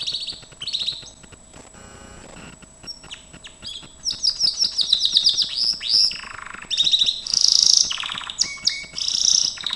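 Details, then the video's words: Gloster canary singing a training song: a quiet start with faint clicks, then from about four seconds loud buzzy trills and fast repeated high notes, with bright harsh bursts near the end. "GLOSTER CANARY SINGING Spectacular Beautiful training"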